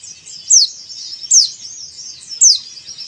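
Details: White-eye in a cage singing to prompt caged birds to open their beaks and sing: three bright, sharply falling high notes spaced about a second apart over a faint continuous high twitter.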